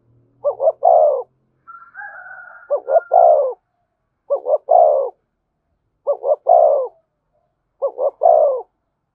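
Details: Spotted dove cooing in the Vietnamese thổ voice style with thúc and kèm phrases: five phrases, each two quick short notes and then a longer, lower, vibrating coo. A higher wavering call briefly overlaps near the second phrase.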